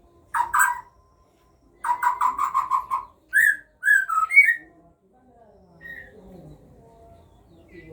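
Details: Captive-bred white-rumped shama (murai batu Aceh) at a parent's feeding of its chicks: a short harmonic note, then a quick run of five or six repeated bursty notes, followed by a few higher whistled slurs and faint softer notes.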